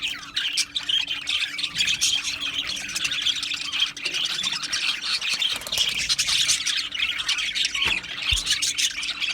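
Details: Aviary colony of Australian budgerigars giving continuous overlapping chirps and harsh squawks, a steady high babble throughout with a low hum beneath.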